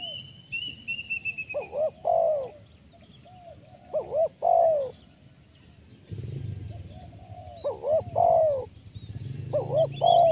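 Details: Spotted dove at a bird-trapping spot by a graveyard, its voice rich in rolling 'rrr' sounds: paired purring, rolling coos in short phrases separated by pauses, with faint high chirps of other birds and a low rumble behind.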